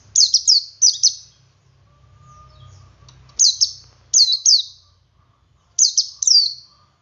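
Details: Ngalas singing from a male Oriental white-eye, meant to draw other white-eyes into song: bursts of two to three sharp, high descending whistles repeated after short pauses, over soft low rumbling background noise.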